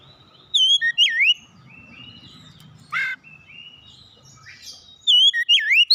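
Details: Oriental magpie-robin (kacer) gives short bursts of looping whistles separated by a long pause, with a harsh buzzy rasp in the middle and soft low background rumble throughout.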